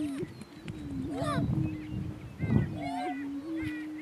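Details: Two male greater prairie chickens squaring off on a northeast Kansas lek: an even low moan with small hiccuping lifts, punctuated by stacked rising whoops and yelping cackles around the first and third seconds.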